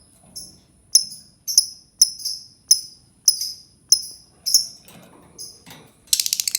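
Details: Lovebird song used as a lure to prompt other lovebirds to sing: shrill, high chirps with a sharp downward slur, repeated roughly every half second, ending in a quick buzzy rattling burst.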